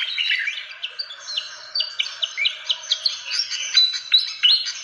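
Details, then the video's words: A fantail's lure call, used to attract birds, is a rapid, high chattering of short squeaky notes, about three per second, with scattered sharp rising chips over a faint background hiss. "SUARA PIKAT BURUNG KIPASAN SIKATAN"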